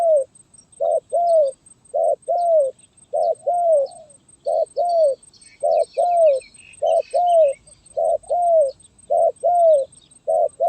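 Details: Stuttering 'gagap tindan' (sepatah) song of a spotted dove, 23 January 2022: steady paired coos, a short note then a drawn-out falling one, repeated evenly about every second, with faint twittering of small birds behind.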